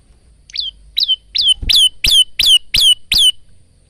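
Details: Singing male Bar-winged prinia, recorded by phone as a training song: eight upslurred chirps that grow louder and steadier, ending abruptly.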